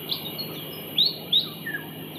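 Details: Pied fantail in Singapore, May 2022, a juvenile being fed by an adult: a few short, sharp high chirps, two brighter quick slurred notes close together mid-clip, then softer lower notes, over a steady faint background hum.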